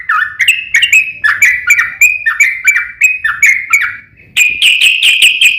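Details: Yellow-vented bulbul in a provoking fighting song: run of chattering, downslurred notes at a steady pace, a short gap near four seconds, then a denser burst of bright, buzzy chatter.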